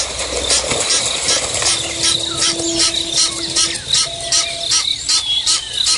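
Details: Egyptian geese in a double fight at Nkorho Bush Lodge, South Africa, at 5:30 AM on 24 September 2022, give harsh, hoarse, rapidly repeated honks and hisses, about two or three a second, over a steady low hum.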